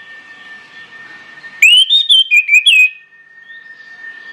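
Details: Used as a lure to start other birds singing, an orange-headed thrush delivers one strong phrase of rapid looping whistles over a steady faint background tone.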